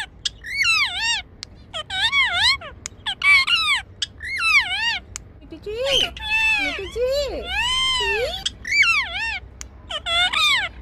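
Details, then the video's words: Six-year-old male pet Indian ringneck parakeet greeting its owner as she comes home: a series of screechy, rising-then-falling calls and chattered word-like sounds in short bursts, with soft music in the background. "Cute Talking Parrot's Response When Mommy Comes Back Home"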